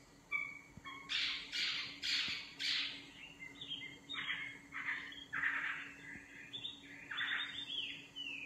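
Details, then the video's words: Nightingale singing: a loud series of rapid broadband notes, then varied rising and falling whistled phrases in repeated bursts, with a steady low hum beneath. "Singing nightingale. amazing bird song"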